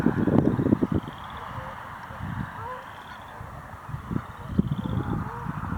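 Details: Canada geese calling angrily at passing bird watchers: short rough honks in clustered bursts near the start and again later, with quieter spells between and steady background noise throughout.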